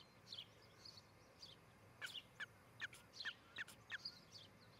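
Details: Osprey pair at their nest in Charlo, Montana, on a nest camera, morning of 14 July 2018, during nest building and courtship: short whistled chirps, each dropping in pitch, given in loose runs of about one per half-second, with faint rural background hiss.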